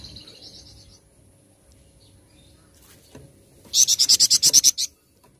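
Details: Flamboyan bird singing loudly in gacor style: after a faint high trill, a burst of about eleven rapid, harsh, high-pitched pulses pours out in roughly one second, then stops abruptly.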